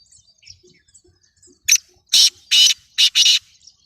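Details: A full-size, spirited black francolin (kala teetar) of good lineage calls with five loud, scratchy, broadband rasps over about 1.7 seconds. The last two notes come almost back to back, against faint chirps and near silence.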